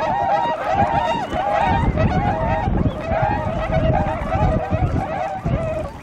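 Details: Tundra swans, a flock on a glittering river at their arrival site in Kawajima, Saitama, Japan, 4 February 2017; many overlapping nasal honking calls, mid-pitched and slightly wavering, in a near-continuous chorus over low rumbling background noise.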